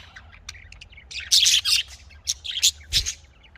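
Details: Budgerigar chatter from a breeding setup, soft ticking notes building into loud, dense, scratchy warbling bursts, then several sharp separate chirps.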